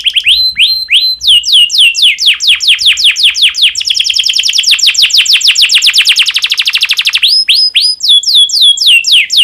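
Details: Canary in breeding condition singing to set off other canaries: a long chain of down-slurred whistled notes that accelerates into a tight trill, then slows into spaced high sweeps.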